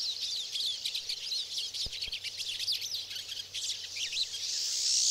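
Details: Pine siskins in the boreal forest of Maine, 2011: dense high twittering chatter from several birds, with quick overlapping chirps and a rising buzzy note near the end.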